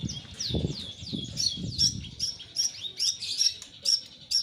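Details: Long-tailed shrike singing after its moult, its volume not yet recovered: a run of quick down-slurred whistled notes, then sharp high chips repeated about every half second, with faint low rumble underneath.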